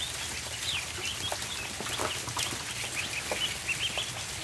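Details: Many ducklings on a barn floor at feeding time give a steady chorus of thin, high peeps, some sliding downward, over a constant bed of clicks and shuffling from feeding.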